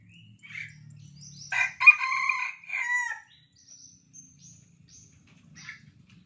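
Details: A junglefowl being lured with a decoy call gives one short, harsh crow of about a second and a half, broken into clipped, hoarse syllables, while faint high chirps from small birds sound around it.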